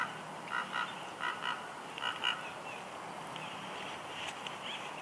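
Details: Female bald eagle on the nest, Big Bear Lake, California, March 6, 2021, whining softly when the male arrives with a headless fish; paired high, reedy notes repeated in short bursts over the first half, then faint background.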